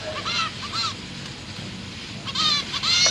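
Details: Young zebra finches in a cage, fed by their parents, 29 September 2023; a few scattered nasal beeps with rising-falling shape, quieter stretches between, then a short loud burst at the end.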